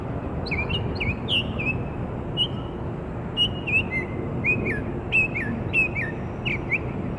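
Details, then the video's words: Northern Mockingbird in Maryland on 27 March 2013 sings a string of short whistled and chirped phrases, some slurred downward, over a steady low traffic hum. "Mocking bird's song"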